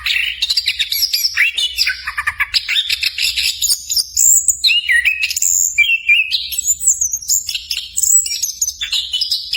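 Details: Orange-headed thrush, a songbird of Southeast Asian forests, in rich continuous song used as training audio for captive birds: varied whistled phrases jumping between high and lower pitches, mixed with rapid chattering mimic-like notes, low hum beneath.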